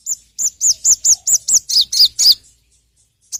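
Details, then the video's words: A steady series of about ten high arched chirps, three to four per second, each dropping slightly in pitch toward the end, from a sogon lure song. "PANCINGAN BURUNG SOGON"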